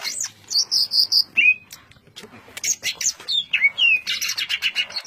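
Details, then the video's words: Dense ngentrok-style song of a greater green leafbird: clear high whistles repeated in quick succession, a brief pause, then varied swooping whistles and a fast burst of chattering notes. "Suara burung cucak ijo ngentrok suara rapat"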